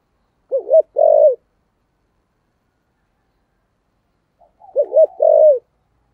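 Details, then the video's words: Spotted dove, 'thổ sấm' voice style, urging coos played to start newly caught birds cooing: two short bursts of low throaty hoots, each a quick double note followed by a longer rounded coo, separated by three seconds of silence. "cu gáy giọng thổ sấm thúc gù + gáy gọi bài bản"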